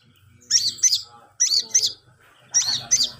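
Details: Long-tailed shrike practising, producing sharp high notes in pairs, three pairs in all, each pair about a second apart, over a soft low hum.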